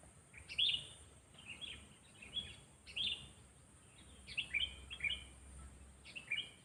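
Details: Sooty-headed bulbul, a trained lure bird meant to challenge other birds with a loud, sharp voice, repeats brisk, gurgling whistled phrases roughly every second, each a quick cluster of falling and rising notes.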